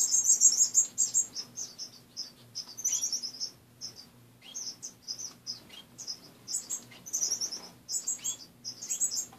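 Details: Pet finches in a cage heard in the morning; steady stream of short, high, clipped chirps in irregular clusters, roughly three a second, over a soft constant hum.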